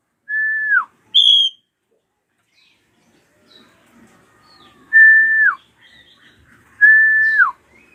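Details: Loud drongo screams for provoking young birds into singing: clear, flat whistles that dip down at the end, with one high ringing note early on, spaced by long quiet pauses and faint twitters.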